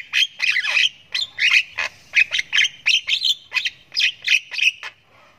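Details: Young Javan myna in ngriwik panjang, its long-running chick calling as it learns to make sounds: a steady series of harsh, buzzy squawks, about two per second, each a short rasping burst.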